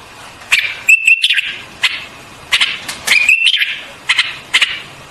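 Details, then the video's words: White-eared bulbul song of brief warbled whistles, a few of them gliding slightly upward, mixed with crisp clicking notes and spaced by short silences. "White-Eared Bulbul Song"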